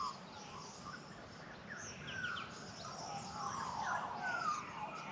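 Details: Australian magpies singing in morning sunshine in the Australian bush, welcoming the day: mellow warbled and fluting phrases around the middle pitches, with brief higher chirps and a steady background hum of the bush.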